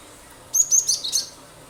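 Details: Cinereous tit's energetic 'nembak' shooting song meant to make other birds join in: quick run of five high, thin whistled notes with buzzy edges, ending in a slightly lower note, faint hiss behind.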